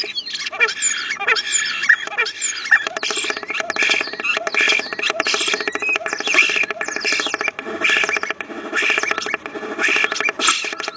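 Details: Two common starlings at a nest box, giving a dense run of rapid chattering, clicking and squeaky calls with a few rising whistled notes early on, continuous throughout.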